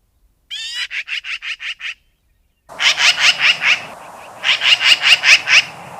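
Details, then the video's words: Magpie rattling out a fast, even chatter of about six harsh notes, then after a short gap a louder, noisier chattering run over background rumble. "Magpie sounds. The sounds that the magpie makes. What sounds does a magpie make?"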